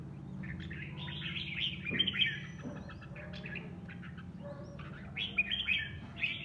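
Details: Caged red-whiskered bulbul in sparring song; jumbled warbling phrases near the start, a pause, then more bright chattering whistles near the end, with steady low background hum.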